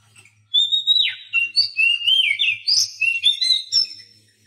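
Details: Oriental magpie-robin song for training mute captive birds: a steady high whistle, then a rapid run of slurred, swooping notes that leap up and down, over a faint low hum.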